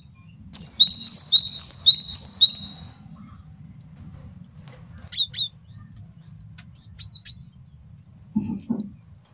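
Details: Master song of a male cinereous tit for training and luring: five rapid, evenly repeated high two-note phrases, followed by sparse faint notes and a short low sound near the end.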